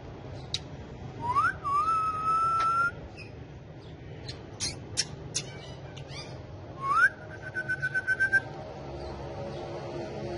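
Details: Pet parrots talking and dancing on a bike; drawn-out rising whistles that level off into steady tones, scattered sharp clicks, and a rapid series of short pulses, with laughter and music nearby.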